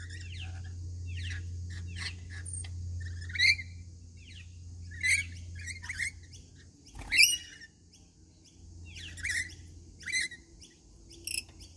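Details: Rainbow lorikeets calling during a daily feeding routine: sharp screechy chirps and squawks in bursts every second or two, several birds, with a steady low hum and a faint high whine behind.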